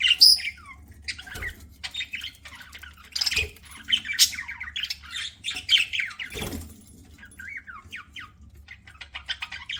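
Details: Pet budgerigar chirping as it eats: a sharp high squeak opens a long run of grating chatter, varied chirps and squawks, plus a few low knocks.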